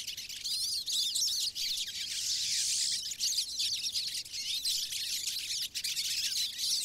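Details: A flock of pine siskins in Maine's boreal forest keeps up a dense, continuous twittering of high, wheezy chips and buzzy notes, with no pause across the whole stretch.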